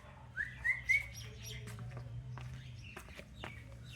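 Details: Caged pet parrot moving about its cage in a playful mood: a clear whistled note rising then held, in three loud bursts near the start, followed by short faint chirps and clicks over a low steady hum.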